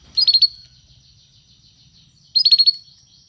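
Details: Canary song for training a canary to sing: two short bursts of quick, high chirping notes about two seconds apart, with a faint low hum underneath.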